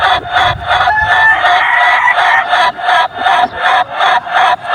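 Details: Chicken delivering a long crow of quick buzzy harmonic syllables, merging into a continuous stream at first, then breaking into regular pulses nearly three per second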